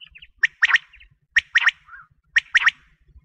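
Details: Quail call for wheat-season hunting: a crisp three-syllable phrase, a single note then a fast double note, repeated three times at roughly one-second intervals, with soft background hum.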